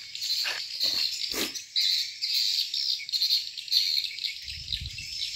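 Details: Swiftlet farm in Borneo, with a colony of swiftlets giving a steady wash of high, twittering chirps, crowded and unbroken, while a few low knocks and a soft rumble sound beneath.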